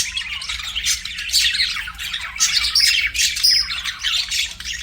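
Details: Chirping budgerigar: scratchy, buzzy warbled chatter mixed with thin rising whistles and clear squeaks, pouring out continuously in uneven bursts.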